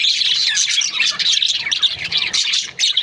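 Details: A short burst of budgerigar chatter from breeding pairs: bright, high chirps and whistled squeaks tumbling over each other at a fast, uneven pace.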